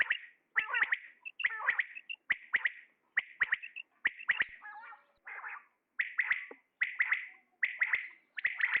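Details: Male common quail calling: bright, sharp notes in quick clusters of two or three, repeated roughly every second, with a brief softer gurgling stretch in the middle; no other clear sounds.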